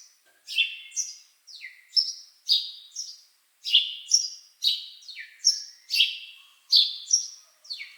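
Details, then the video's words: A bird chirps in lively, high, sharp notes, each a quick downward slide, coming in pairs and clusters with brief gaps; the background is silent. "Bird Chirping Sound"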